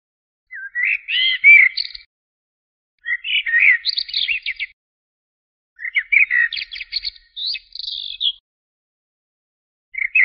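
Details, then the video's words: Blackbird song in four bursts about every three seconds: brief melodious whistles followed by dry, high-pitched chattering twitters, with quiet gaps between. "تغريد طائر الشحرور ( جحمومية - الزرياب ) Turdus merula"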